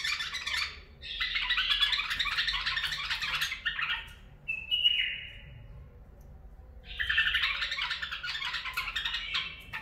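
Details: Bulbul singing in the barwaz and mufara'a song styles: bursts of rich, jumbled warbling notes, a short steady whistle midway, then another chattering burst.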